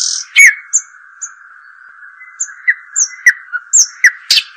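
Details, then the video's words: Sparse European robin song: thin, very high whistled notes spaced irregularly, then a few faster short phrases, against a steady low hum. "أجمل تغريد لطائر الدخل"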